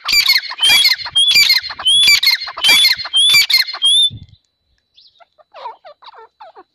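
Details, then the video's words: Grey francolin calling loudly: rapid series of shrill, rising whistled notes with harsh overtones, repeated for four seconds, then silence broken by faint scattered chirps. "Silver Teetar Call | Teetar Awaaz"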